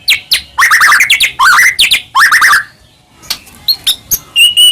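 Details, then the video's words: White-rumped shama song used to provoke other shamas: harsh scratchy rising phrases repeated several times, followed by sparse high chips and a thin whistle. "murai batu gacor AMPUH buat PANCINGAN murai batu agar bunyi"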